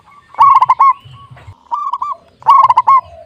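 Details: A lively, clear-voiced local zebra dove suited for luring: two loud bursts of rapid stuttered notes with a softer rolling coo between them, all on a similar pitch.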